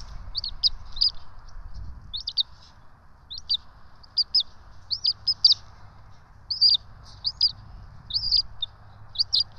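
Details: A pair of bald eagle chicks is fed at the ETSU nest in Johnson City, caught on a nest cam on 12 March 2024. They give rapid high-pitched peeps, often doubled, repeated about every half second with a faint low hum.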